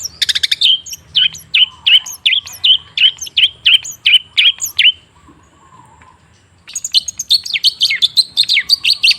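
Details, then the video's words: Cendet (long-tailed shrike) singing as a lure for a stalled bird. A steady string of repeated down-slurred whistled notes is followed by a pause, then a busy burst of scratchy, varied chatter. "Suara TERAPI pancingan cendet macet supaya rajin bunyi..!!!"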